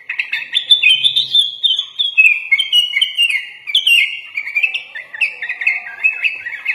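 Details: A sooty-headed bulbul in full, energetic song, with fill-ins said to mimic the white-rumped shama, gives a nonstop stream of bright, bubbly chirps and short warbled phrases, fast and mid-high in pitch, with no other sounds.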